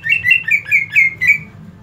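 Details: A greater green leafbird gives aggressive, fighting-style calls, a rapid run of bright, slurred chirps around two kilohertz, five or six notes in just over a second, with faint background hum.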